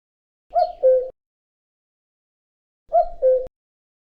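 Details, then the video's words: Male common cuckoo singing its territorial spring song, two clear, hollow 'cu-coo' calls, each a higher note dropping to a lower one, about two seconds apart, with silence between. "Common Cuckoo Call | The Famous Cuckoo Sound of Spring"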